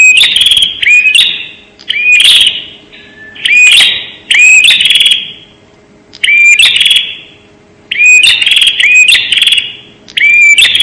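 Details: Bar-winged prinia lure call, recorded very clear: loud, buzzy, metallic chirp phrases in bursts of about a second, separated by short pauses, with a sharp rising note at the start of each burst.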